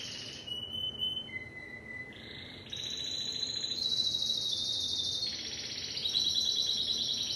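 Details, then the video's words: Song of a Timbrado canary, a chain of sustained tours: a whistled note, a lower flat hum, then a buzzy rolling trill that jumps higher and holds, changing texture every second or so. "تغريد كناري التمبرادو"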